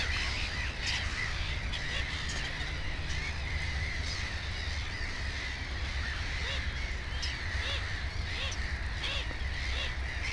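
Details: Black-headed gulls calling around a nest holding two chicks: short arched squawks at irregular intervals from several birds, against a constant low-pitched background rumble.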